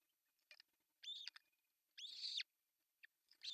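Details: Osprey calling at an artificial nest in northern Satakunta, Finland, June 10, 2024, while the male delivers a fish; short chirps lead into a longer, squealing call, then more scattered high chirps.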